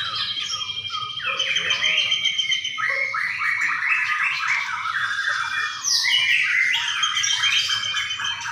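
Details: White-rumped shama singing at a bird singing contest in Sidareja: dense, rapid high whistles, slurred notes and chattering phrases pouring out almost continuously, overlapping strands suggesting several birds singing together, with a low murmur of crowd noise beneath.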